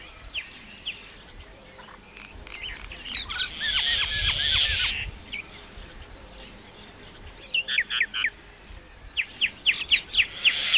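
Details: Common myna song: a grating, noisy burst with sliding notes in the middle, then a fast, clipped series of bright, descending chips toward the end.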